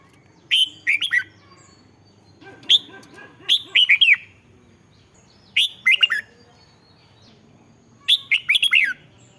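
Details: Red-whiskered bulbul song for rousing caged birds, with repeated cheerful phrases of three to five slurred, bubbling notes every one to two seconds, plus a faint lower murmur between some phrases.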